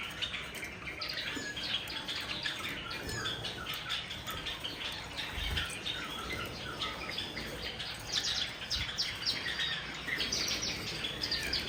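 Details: Bathing Java sparrows, silver and white forms among them, give rapid clusters of thin high tweets, busiest at the start and again near the end, with water splashes and patter beneath.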